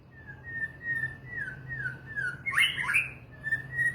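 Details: Murai batu, or white-rumped shama, gives a string of soft, evenly spaced whistled notes, breaks into a louder harsh, complex flourish, then returns to gentle whistles.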